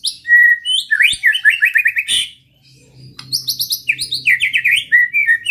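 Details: White-rumped shama singing hard as a lure meant to agitate rival shamas: buzzy high trills, a long whistled note, then rapid rising chips repeated in quick series, with a short pause midway and a faint low hum beneath.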